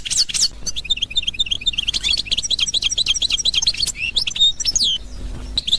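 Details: European goldfinch singing in the authentic Constantine style, Algeria, 2021: rapid, dense twittering of high tinkling notes and buzzy trills, with rising and falling whistled phrases near the end, played against a faint steady low hum.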